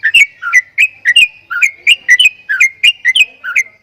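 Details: Strange sounds from a Javan myna (jalak kebo): clear, clicky whistled notes alternating higher and lower in a bouncy pattern, about three per second, in a quiet setting.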